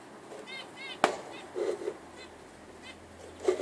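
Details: Budgerigar giving short, rising-and-falling harmonic chirps spaced about half a second apart, mixed with a sharp click and soft rustling noises.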